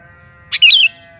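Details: Sooty-headed bulbul lure song to make other bulbuls respond: a single quick two-part phrase, a sharp click-like note then a bubbly warble dropping slightly, over a steady low hum.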